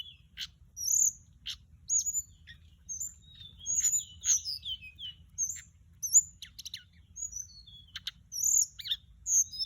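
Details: Mugimaki Flycatcher, recorded as a lure sound, gives bright high whistles and quick descending slurs broken by brief clicks, spread evenly over the recording.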